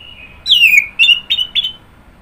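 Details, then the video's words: Orange-headed thrush giving a short phrase: a strong downslurred whistle followed by three brief, even whistled notes, over a soft, steady background hiss. "Kicauan Burung Anis Merah"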